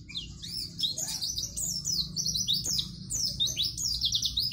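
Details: Pleci, a white-eye, singing energetically as tutor material for young caged birds: dense, high, rapid twittering of swooping chirps, nearly unbroken, with a faint low hum beneath.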